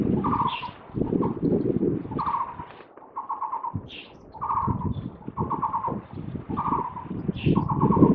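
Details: A Taiwan barbet chirping on a cable, recorded 27 July 2023, gives short, hollow, mid-pitched trilled notes about once a second, with heavy traffic rumble and passing vehicles behind.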